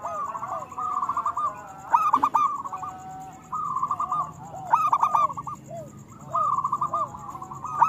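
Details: Local zebra dove song, played to lure reluctant doves into singing. Rhythmic bursts of rapid clipped coos ending in a rolling trill recur roughly every two seconds, several birds overlapping, with soft falling coos between phrases.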